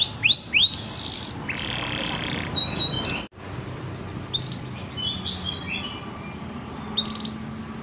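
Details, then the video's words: A canary sings a tutor song for young canaries: bright, fast phrases of falling whistled notes, a high buzzy trill and lower rolling rattles, with a brief break partway through. "MASTERAN 1 JAM KENARI PAUD DAN KENARI MACET"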